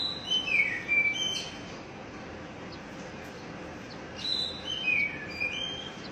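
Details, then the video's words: Oriental magpie-robin call meant to stimulate a stressed, newly caught bird that has gone silent: clear slurred whistles, some falling, in two groups separated by a pause, over a steady hiss of broadband background noise. "panggilan kacer bahan stress macet bunyi"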